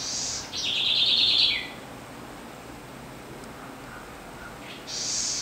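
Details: Southern house wren (Troglodytes musculus), known locally as corruíra, singing: a loud, dense, buzzy trill that slides slightly downward over about a second. A higher rushing note comes before it and another follows, over a faint background hiss.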